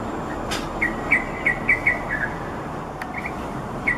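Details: Yellow-vented bulbul near Bukit Timah Nature Reserve and Bukit Batok Nature Park, spreading and fluttering its wings while calling: a quick series of short, bright chirped notes, several per second, then a pause and a lone chirp, over steady background hum.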